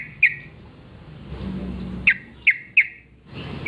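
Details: Wild yellow-vented bulbul calling in the forest in the morning: a few short, sharp chirped notes, one near the start and a quick cluster of three later, over a quiet low background rumble.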